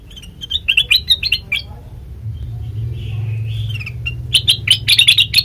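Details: Sooty-headed bulbul lure for untrained birds: quick warbling chirps, a softer drawn-out wavering phrase, then a dense burst of bright notes, with a low hum running throughout.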